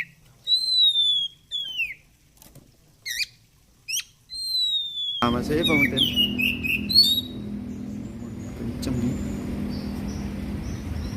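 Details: Oriental magpie-robin (kacer) song for training and therapy: clean, spaced whistles, some sweeping down and some steady, followed by a denser, faster twittering stretch over a loud hissing background.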